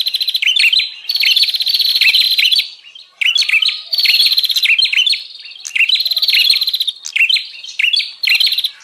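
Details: Bar-winged prinia call used to lure wild birds, an energetic series of buzzy rattles and sharp rising chirps, bursts tumbling one after another with brief dips in volume.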